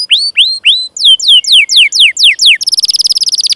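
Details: Chirping canary song as a lure for training other canaries: three upward-curving whistles, a series of clear downward-slurred notes, then a fast high buzzy trill.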